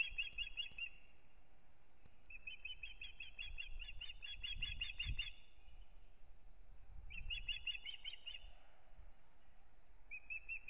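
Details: Ospreys at their nest in Kurzeme, Latvia, early in the April 2022 breeding season: bursts of fast, excited piping whistles in several runs separated by pauses, over faint low background noise.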